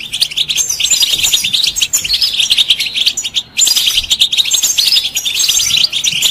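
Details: Pet European goldfinch song played to encourage other birds to sing, a dense continuous stream of high, liquid twitters and buzzy trills, broken by one brief pause midway.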